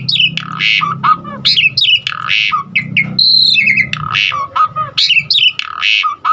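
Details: Varied Asian pied starling song meant to trigger singing in other starlings, mixing rough rasps and slurred falling whistles with a brief high, chattering insert midway.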